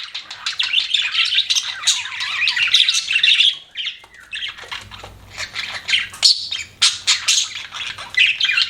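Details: Budgerigars kept as pets warble and chirp in a busy, grating stream, dropping quieter around the middle before sharp squawks return.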